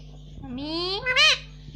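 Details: Pet Indian ringneck parakeet saying "mummy" indoors as one long, smoothly rising harmonic glide that ends in a brief loud arched note, over a low steady hum.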